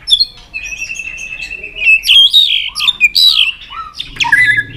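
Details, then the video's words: Stimulated White-rumped shama singing a steady run of whistled, warbling notes with lower dipping whistles and a faint background hum. "chòe lửa đập tạch cực sung"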